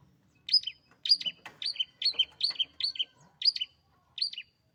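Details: Long-tailed shrike kept as a favourite pet, singing vigorously: sharp two-part notes, a high accented chirp followed by a lower one, repeated in irregular bursts over quiet background.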